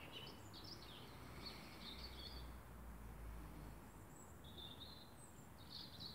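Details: A male common blackbird sings in the morning in Kendal, Cumbria: short, high, slurred warbling phrases in bursts, partly lost under a steady low rumble of background noise.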